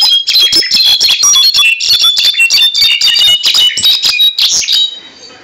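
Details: A captive "cabresto" goldfinch from Quiroga, Michoacán, sings on a bed: a fast, unbroken run of bright, tinkling twitters and buzzy trills, high-pitched and jumbled, for about five seconds before fading out.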